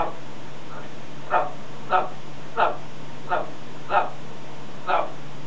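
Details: Harsh, grating gaaarrr calls from a male pet macaw imitating its owners while outside, six evenly spaced rough bursts in quick succession, backed by a low humming noise.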